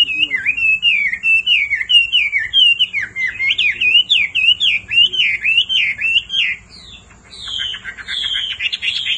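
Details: Hwamei male singing, roused by a female's repeated calls: loud, fluid whistled phrases that rise and fall quickly, repeated in a continuous rolling stream, with slurred notes and brighter, higher notes toward the end.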